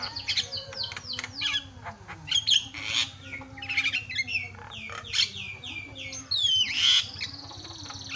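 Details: Varied, energetic Javan myna song meant to provoke other mynas, mixing slurred whistles, downward squeals, harsh bursts and chattering notes in quick succession over a faint low hum.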